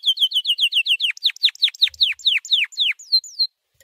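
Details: White canary training song with a quick series of high looping notes, then deeper falling slurred whistles repeated about four per second, closing with two or three rising-falling whistles before silence.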